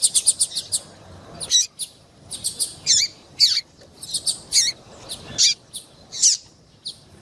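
A female double-collared seedeater gives thin, high chirps: a quick run of five, then single or paired notes roughly every half-second to second.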